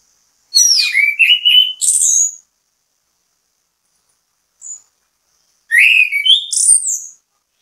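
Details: Orange-headed thrush singing as bait to make other birds sing: two loud bursts of rapid mixed whistles and chattering notes, sweeping high and low, separated by a few seconds of silence with one faint thin note.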